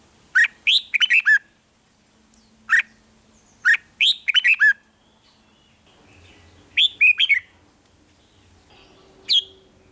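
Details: 'Rik'-style song of a red-whiskered bulbul, a sound used to excite caged birds: short chattering phrases of clear whistled notes alternate with single sharp chirps, spaced roughly one to three seconds apart, with a faint low hum beneath.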